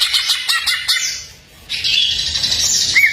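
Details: Greater green leafbird song for training other songbirds, full of varied phrases: bright chirps and buzzy high notes in quick bursts, a short pause, then a long dense warbling stretch ending in a clear upslurred whistle.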